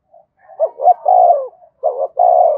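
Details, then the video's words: Spotted dove in a calling and provoking bout, giving two low hooted coo phrases in quick succession, each ending in a drawn-out throaty note. "tiếng cu gáy thúc và gáy gọi/ cu gay kich boi nhanh noi gù"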